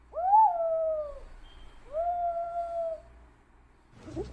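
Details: A green pigeon, recorded to lure others of its kind in Thailand, gives two soft whistles. The first rises sharply and then slides down, the second stays nearly level. A short rustling noise follows at the end.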